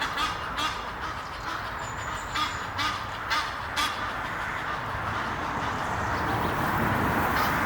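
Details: A courting pair of Egyptian geese perched up a tree near Henley upon Thames give harsh, rasping calls repeated about twice a second in the first half, then fading into steady background hiss.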